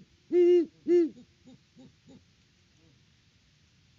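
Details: Great horned owl hooting at the nest on a Peabody, Kansas farm, mid-October 2023. Two strong low hoots come close together, followed by three or four quieter, clipped hoots, then near silence.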